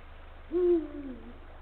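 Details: At the nest in late afternoon on 17 February 2023, a male Eurasian eagle-owl calls his mate with one deep hoot: a loud held note that slides down and tails away, low hum in the background.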